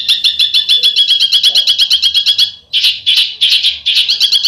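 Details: Bird giving besetan-style song: a fast, sharp, high trill of evenly repeated notes lasting over two seconds, then a short pause and a series of louder, burry, clustered high bursts.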